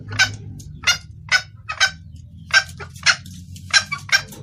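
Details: Red junglefowl hen calling the male, used to attract males; spaced, rough clucking notes, some paired, about two per second, with a steady low hum beneath.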